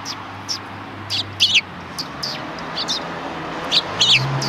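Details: A few scattered sparrow chirps, some doubled, from birds on the road in front of a Tenmangu shrine on 13 December 2019, with a low engine-like rumble underneath.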